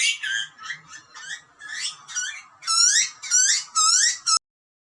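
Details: Wild butcherbird chicks in Australia scream for food as parents feed them: loud, harsh, rising harmonic squeals in quick irregular bursts, growing stronger toward the end.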